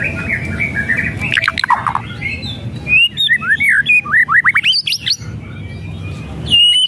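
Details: White-rumped shama song for provoking a silent bird: a mixed run of whistles leads into a quick series of sharp rising and falling notes, ending with a short high whistle; faint low background noise.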